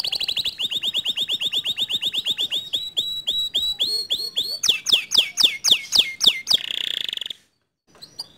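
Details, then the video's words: Canary song used to provoke a lazy canary into singing. A long series of rapid, even, rolling notes leads into louder, looping, falling whistles. It ends in a short buzzy trill before stopping. "Memancing Emosi Kenari Malas Bunyi Agar Ikut Gacor Dengan Kicauan Kenari ini"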